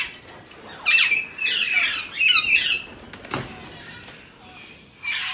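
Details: Alexandrine parakeet giving a run of harsh, grating squawks in bursts over about two seconds, then a sharp knock and a quiet pause before another raspy call at the end.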